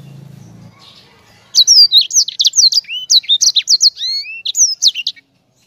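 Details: After a low hum, a Sanger bird bursts into rapid rolling song, high sweeping whistles and clipped chirps in a dense run lasting several seconds.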